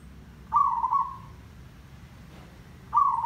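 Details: Zebra dove song played as a lure for trapping, tandang derak lebat style: two separate mid-pitched coos about two and a half seconds apart, the first held nearly a second, with quiet between them.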